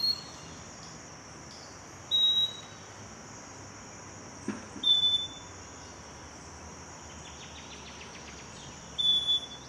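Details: Scaly-breasted Wren singing at Cocorna in the Magdalena Valley: four clear, pure whistled notes on a steady high pitch, each short and spaced two to four seconds apart by silence, with a faint soft ticking in the background.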